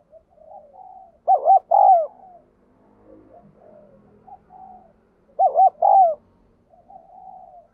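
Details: Spotted dove decoy cooing urgently to bring wild doves in fast. Two loud phrases of quick hollow notes and a longer arched coo, about four seconds apart. Quieter coos from other doves sound throughout.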